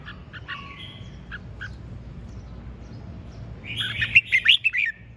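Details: Red-whiskered bulbul in ché chẻ singing style: a few soft whistled notes, then a sudden loud, rapid burst of bright chirping warbles near the end, against a low humming background.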